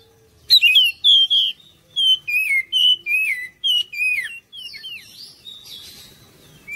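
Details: Oriental magpie-robin song meant to lure other birds into singing and responding: rapid series of loud whistled notes, some dropping in pitch, repeated several times a second, then a busier scratchy warble, with a faint low hum.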